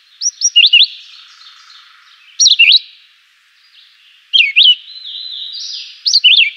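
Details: Chivi vireo song: clear whistled phrases of two to three sharp, slurred notes, given about every two seconds. A faint background of other birdsong and a low hum can be heard between phrases.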